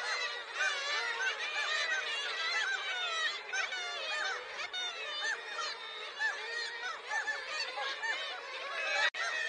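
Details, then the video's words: Wintertime seagulls calling together: crowded, overlapping yelping and mewing notes, some short and clipped, others drawn out, forming an unbroken chorus with a sharp click near the end. "Natural Sound Seagulls & Winter Landscape"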